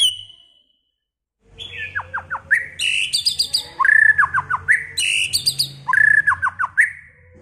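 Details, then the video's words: Many-voiced song of a White-rumped shama: a high opening whistle, then loud varied phrases mixing rising whistles, quick downslurred notes in groups of three and harsh high chatter, repeated in a similar pattern twice, over a low background hum. "chòe lửa hót,chòe lửa chuyền mùa đầu"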